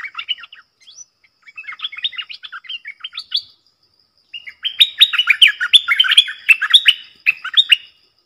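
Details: Streaked bulbuls in the wild, a family group, one probably a male: scattered twittered chirps, a short quiet spell, then a louder dense run of rapid chirping notes.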